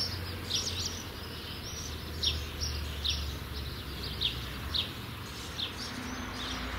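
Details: Young common starlings, soon to fledge, give short, harsh, scratchy chirps, repeated roughly twice a second, over a steady low background hum.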